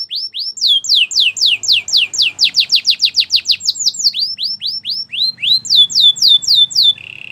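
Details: Belgian canary pouring out long series of rapid downslurred whistled notes, varying slightly in pitch, ending in a low steady trill.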